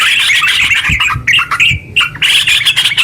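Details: A yellow-vented bulbul sings a long, rapid song to make other bulbuls sing. Bright, bubbly bursts of quick notes, a brief pause with a single drawn-out note near the middle, then lively chatter again.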